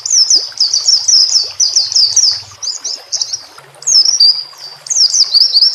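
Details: White-rumped shama (murai batu) song made as a training recording for captive songbirds, with nature sounds and trickling water: rapid, high, sweeping whistled phrases in dense bursts, a short pause mid-way, then more looping twittered runs.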